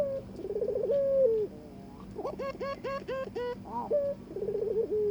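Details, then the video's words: Courting Barbary dove paired with a mate, trying to get it to mate: rolling, trembling coos with long trailing notes, interrupted midway by a run of sharper, harmonic-rich, repeated upswept notes before the coo resumes. "burung puter ngajak kawin"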